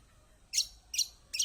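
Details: Kecial kombok white-eye used as a lure to prompt silent birds: three bright, high, short chirps at even intervals of roughly half a second.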